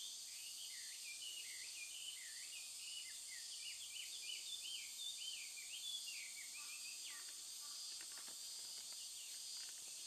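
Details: Chinese hwamei singing loudly in intense summer heat at Tokigawa, Japan, on 12 August 2013: quick, looping whistled phrases that rise and fall, partly masked by a steady high insect drone, with a few clicks near the end.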